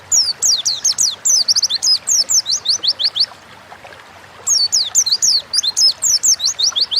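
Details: Oriental white-eye singing: rapid series of high, thin, sharply descending whistled notes in two bursts separated by a short pause, bright and twittering throughout.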